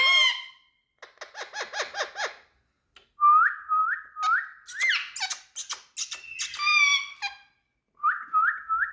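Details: Parrot in India, a talking bird, mixing a quick series of about eight nasal chattering notes with repeated upward-swooping whistles and a few harsh squawks, separated by brief silences.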